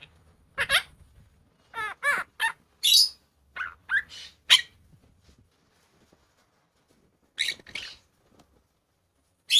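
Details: An opaline monk parakeet talks in short bursts of raspy, speech-like syllables, several in quick runs with brief pauses, including a new word, ending in a sharp squawk-like word.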